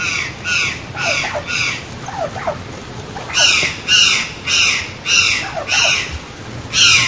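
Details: White-naped jay: a series of about ten harsh, buzzy, raspy calls given in uneven bursts, with softer descending notes scattered between them and a faint background hiss.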